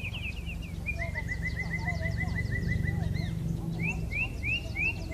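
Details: Common blackbird, described as a rare passage visitor to Korea with a clear-toned voice, sings a run of clear slurred notes, then a long fast even series of short repeated notes, ending in rising whistled notes; faint twittering and low hum behind.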